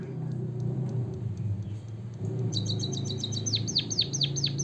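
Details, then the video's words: White-headed munia, chirps meant to get birds singing. Low rumbling noise, like traffic, first, then a quick high buzzy trill and several clear downward-sweeping chirps in quick succession. "suara kicauan burung emprit kaji gacor"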